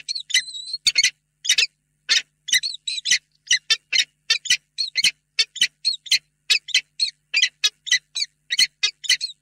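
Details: Peregrine falcon pair calling together inside a nest box at Reda before evening, 28 February 2022, greeting each other affectionately. A continuous stream of loud, grating ee-chup notes, several per second, with brief whining overtones.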